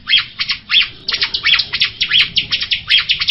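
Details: Jalak rio myna singing: loud, harsh chattering phrases of rapid clustered notes. They come in bursts about every two-thirds of a second with short pauses between, and no other clear sounds.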